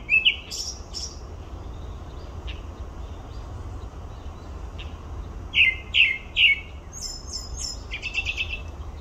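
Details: Grey-backed thrush at Olympic Park: two slurred descending whistles, a pause, then three loud downslurred notes about half a second apart, followed by a thin high twitter. Steady low background hum throughout.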